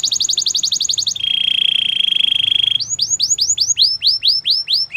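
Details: Belgian canary with a fast chattering trill, a smooth buzzy roll lasting over a second, then spaced upward-swooping whistled notes.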